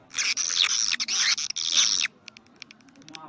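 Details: Swiftlet calls in the 'karindanga' style, used as a lure for swiftlet houses: two seconds of dense, buzzy, high chattering, then a string of short, sharp clicking chirps.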